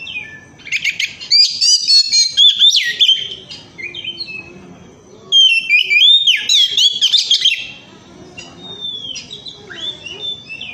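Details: Lively Oriental magpie-robin song used to coax other birds into singing: two bursts of rich, rapidly varied whistles, chirps and trills, separated by a few seconds of quieter sound, with softer scattered notes near the end.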